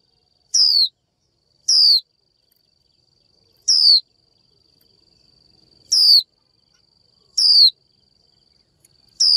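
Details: A female Japanese white-eye calls to stir a male into song, uttering six clear, high, falling whistled notes at uneven intervals of one to two seconds, each loud and clean against a quiet background.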